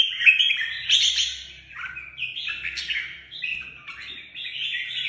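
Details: Red-whiskered bulbul singing: loud, fluty warbled phrases with quick rising and falling whistles and rapid chatter, delivered almost without pause, over a faint low hum.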